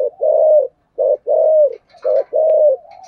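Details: Spotted dove cooing in the thổ sấm (deep thunder-like) voice style, a calling bird; clear low cooing notes in phrases of rounded coos, each about half a second, with short gaps, indoors and otherwise quiet.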